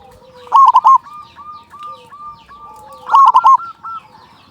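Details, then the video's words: Loud-voiced local zebra dove, its song used to lure other doves into singing, delivers two strong rolling, trilled coo phrases about two and a half seconds apart, with softer cooing doves behind. "Perkutut lokal gacor suara besar pancingan burung perkutut agar cepat bunyi"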